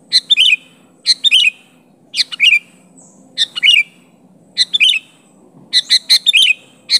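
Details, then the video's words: Sooty-headed bulbul calling to challenge and press a rival: short bright bubbly phrases of two or three rising-falling notes, repeated roughly every second with brief pauses, over a faint low hum. "Suara Burung Kutilang Gacor Memanggil Lawan Asli tanpa Isian Menekan lawan"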